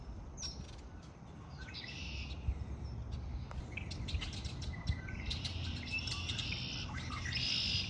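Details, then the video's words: Bird chorus in spring, with faint buzzy trills early on and then a denser stretch of overlapping high trills and ticking notes, over low background noise. "آوای آرامش بخش پرندگان در بهار"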